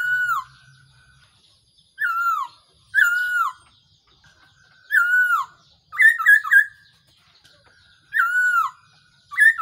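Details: Laughingthrush decoy call (Black-throated laughingthrush) for trapping: loud, wavering whistles sliding downward, repeated at uneven gaps, with two quick stuttered bursts of notes.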